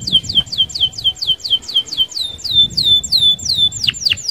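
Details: Canary singing a fast rolling song used as a prompt for other canaries: a steady string of high, sharply curved whistled notes, about four per second, ending in a few steep downward sweeps.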